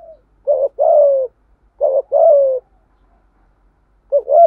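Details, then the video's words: Low-voiced "giọng thổ" spotted dove doing "thúc gù" cooing to excite a decoy bird: two full phrases of a brief upswept note and a drawn-out descending coo, then the start of a third. "Chim cu gáy thúc gù rất bài bản, tiếng chim cu gáy kích bổi"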